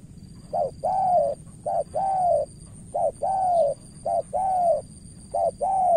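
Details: Spotted dove decoy in Cà Mau, Vietnam, trying to win over a rival bird. Loud, regular coo phrases of a clipped note followed by a longer sliding note, repeated five times evenly.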